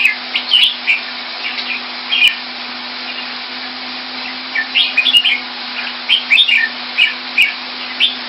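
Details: Red-whiskered bulbul kept in a cage, Thai style, in Singapore in 2018, giving scattered short warbling phrases of slurred whistled notes with gaps between bursts, over a constant mechanical hum and background hiss.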